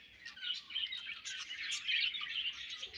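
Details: A colony of budgerigars chirping together, a dense, continuous chatter of overlapping high twittering notes with no single bird standing out.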